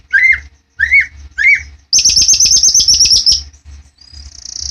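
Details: Murai batu, the white-rumped shama, at a bird farm: three clear, downslurred whistled notes, then a rapid high-pitched trill of about fifteen notes, ending in a thin, sustained high whistle. A low background hum is present.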